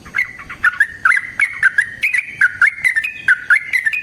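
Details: Used to stir another bulbul to sing, this yellow-vented bulbul gives a rapid, almost non-stop run of liquid whistles, each note bending down then snapping back up.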